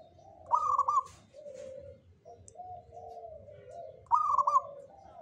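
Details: A local zebra dove, Jogoboyo type, sings two bright bursts of quick staccato cooing about three and a half seconds apart, with soft, low, drawn-out coos between them.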